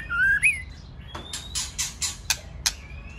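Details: Male white-rumped shama in 'tạch' style alongside a singing female, meant to spur other birds to sing: one rising whistled phrase, then a string of harsh, noisy rasping notes and two sharp clicks.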